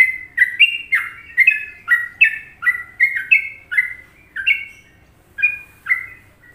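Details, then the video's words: Indonesian sooty-headed bulbul in a much-liked Trucukan song, masteran style: quick sequence of rich downslurred whistles in pairs, slowing toward the end with a short gap before two final notes. "Masteran Trucuk Indonesia"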